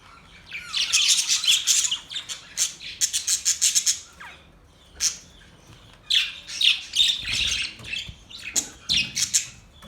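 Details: Budgerigar chirping: bright, buzzy bursts of warbled chatter, each a second or two long, separated by short silences and repeated through the recording.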